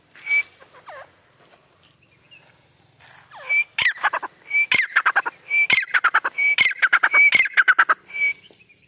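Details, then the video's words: Female white grey francolin (teetar) calling: a short high whistle, then loud, harsh, grating notes in quick bursts, roughly two per second, building toward the end. "Female teetar voice"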